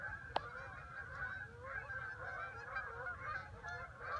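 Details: Many geese honking at once, an unbroken stream of overlapping nasal, slightly rising calls, with one sharp click near the start and a low background rumble throughout.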